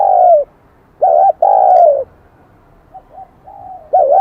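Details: Newly caught spotted dove with a high, bell-toned Kim Đồng voice. One full phrase of a short doubled note and a long, gently falling coo, framed by soft quieter coos and the start of the next phrase.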